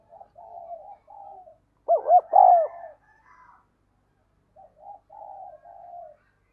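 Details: Spotted dove kept as a decoy bird, cooing insistently to attract wild doves. A loud coo, two short bowed notes and a drawn final note, sits between quieter, low cooing phrases before and after.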